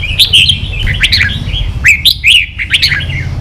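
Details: Red-whiskered bulbul "ché" song used to train young birds to sing: lively whistled phrases with sharp rising and falling notes, several bursts over a low humming background.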